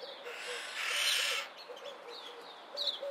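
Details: Two red-winged starlings (Onychognathus morio) in a minor disagreement: a loud, rasping screech lasting about a second, then short high chattering squeaks, over soft low notes repeated in the background.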